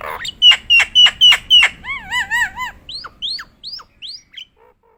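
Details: Nias hill myna in full song: a loud run of five sharp, clipped whistles, then a string of wavering, harmonic warbled notes, ending in a series of rising, fading upslurred whistles against a quiet background.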